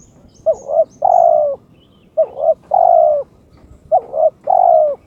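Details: A spotted dove in breeding condition calls to challenge an opponent, repeating a low, mellow cooing phrase three times, about every one and a half seconds: a quick double coo, then a long drawn-out note.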